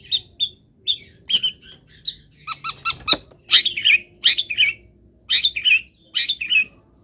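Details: Caged long-tailed shrike in morning sun after being misted: mixed song of quick clicking notes and short whistles, then loud harsh descending squawks repeated roughly once a second.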